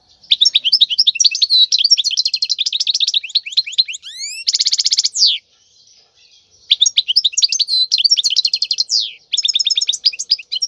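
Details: Wild khalwi-style song of the European goldfinch for teaching chicks: long chattering twitter, rising whistled slurs, then a dense buzzy trill, a short pause, and more rapid metallic twittering phrases.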